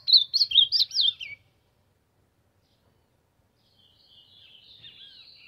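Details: Singing to warm up, an ultramarine grosbeak delivers a fast, jumbled burst of bright whistled notes, then after a silence a faint, drawn-out sliding whistle.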